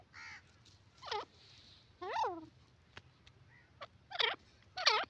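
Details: Teetar, the grey francolin, gives harsh rising-and-falling calls in uneven bursts, alternating with fainter, flatter notes against a quiet background.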